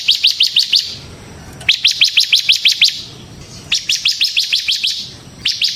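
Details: Bar-winged prinia (ciblek semi) delivering lure song for training birds: three phrases of six to eight quick, sharp high chips, separated by short quiet gaps, sung in ngebren style.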